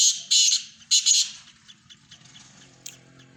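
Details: Black francolin, Sindhi type, in a mix of francolin voices: a few loud harsh grating notes at the start fade into soft scattered ticks and a low murmuring background.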